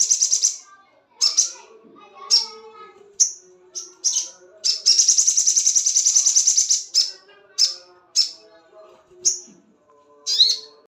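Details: Crested jay in breeding condition calling to mate: a series of short, harsh, high chattering notes spaced about a second apart, then a sustained rattling trill lasting roughly two seconds, followed by more scattered sharp notes.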